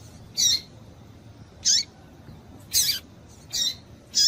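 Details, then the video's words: Female double-collared seedeater calling to stir up males, used by breeders of singing tournament birds; five short, high, sharp chips with quick downward sweeps, spaced about a second apart over a faint low hum. "Piado de Fêmea de Papa capim pra Esquenta papa capim"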